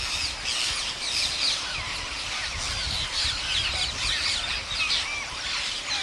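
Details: Masses of wild parrots at a farmer's daily feeding in India, a bright chattering wall of high screeches and chirps with little background sound.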